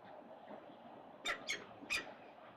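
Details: Peregrine falcon chicks on a building nest at 367 Collins, during their first feeding of the day on 4 October 2022, give three harsh, rasping squawks in quick succession, the last slightly drawn out, over a steady wind-like rush.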